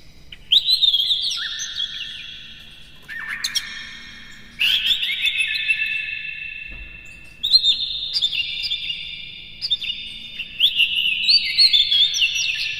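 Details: Oriental magpie-robin (kacer) in a lure recording of full, rapid mimicry-filled song to excite other kacer: loud bursts of varied whistles and chatters every couple of seconds, each followed by a long ringing echo.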